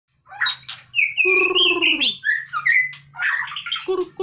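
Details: Caged white-rumped shama (murai batu) lifted from its cage, singing a varied phrase: high whistles, a harsh rasping buzzy stretch dropping in pitch, then sliding clear whistled notes and chattery fragments, over a faint low hum.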